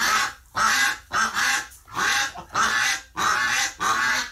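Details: A duck flock in distress after a flock member died in hospital, November 30, 2018: six loud, raspy, drawn-out quacks, each lasting about half a second and separated by brief gaps.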